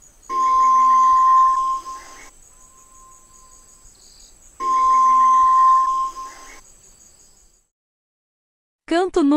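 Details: Two long, steady, mellow whistles from a White-throated Tinamou, several seconds apart, on a single level pitch. A short, different voice-like sound cuts in at the very end.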